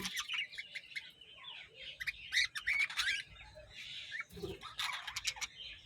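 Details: A colony of budgerigars on a farm chattering together in a dense mix of warbles, chirps and squawks.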